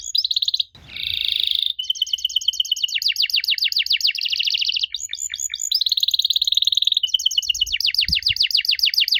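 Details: Canary singing used as bait for young canaries to answer: varied fast trills, buzzy rolls and rapid sweeping notes in a nearly unbroken stream, with a brief thump near the start.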